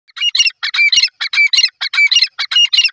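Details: Young grey francolin calling: harsh, squawky bursts of rapid notes repeated in quick succession, roughly twice a second, with no other clear sounds.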